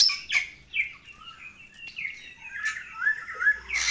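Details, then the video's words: Long-crested Bali myna in full song: a varied run of clear, mid-pitched whistles with harsh, raspy bursts at the start and end, the phrases changing constantly rather than repeating. "GACORAN MEWAH RESMI| JALAK BALI JAMBUL PANJANG"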